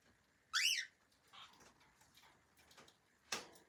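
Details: Loud arched screech from a pet cockatiel, sliding up and back down in pitch, then quiet rustles and a final dry click.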